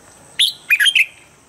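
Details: Short phrase from a red-whiskered bulbul used as a standard voice for morning bird training: one bright opening note followed by a fast cluster of three clear, warbling notes.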